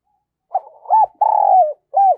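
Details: Spotted dove coo phrase used as decoy to bring in wild doves: brief low notes, a curved coo, a long tremulous coo easing downward, then a short arched note to finish.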